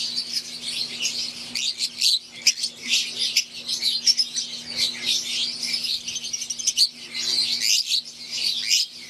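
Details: Wild-type green Fischer's lovebirds and Euwing lovebirds in an aviary, a dense flock chorus of high, sharp chirps and twitters overlapping without pause, with a steady low electrical hum underneath.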